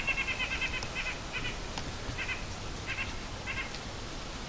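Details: White-breasted Nuthatch calling unseen high in trees by the Appalachian Trail in piney Michaux State Forest, giving nasal, tooting notes in quick bursts, then single notes every half second or so, with a low woodland rumble behind.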